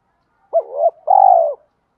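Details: Spotted dove cooing to summon wild doves, mixed-voice style. A single phrase: a soft dipping note rising into a second one, then a longer buzzy, finely pulsed coo, with no other sounds.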